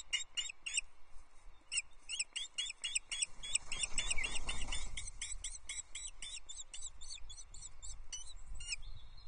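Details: At Loch Arkaig Nest Two, Scotland, on a May 2024 sunset, the female osprey takes a trout from the male. A quick series of piercing chirps, briefly quickening, over soft rumbling wind.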